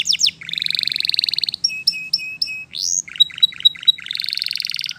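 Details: Canary singing, described as in the wild: a varied high song of rapid trills, buzzy rolling phrases and clear whistled notes, shifting tempo every second or so, with a faint low hum underneath.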